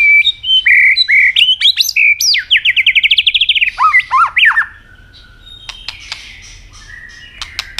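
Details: Loud, varied song of a robin, an Asian bird: clear whistled notes and upward swoops leading into a fast rattling trill and slurred dips, then quieter clicks and a faint whistle.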